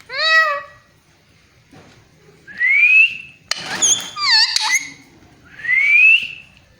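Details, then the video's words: Talking parrot imitating a cat's meow: an arched, harmonic meow-like note opens, then a long rising whistle, a burst of harsh chattering notes, and another rising whistle, recorded indoors. "Parrot talking in cat voice"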